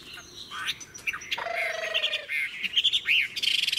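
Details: Chinese hwamei, matured in the wild, giving softer mixed whistles and chirps, with a steady low droning tone in the middle and a buzzy trill at the end.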